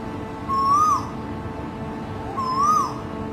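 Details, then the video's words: In the city of Singapore, a male Asian koel, its morning call, gives two clear, rising whistled 'ko-el' notes about two seconds apart over a low, steady rumble of city noise. "Asian Koel Male"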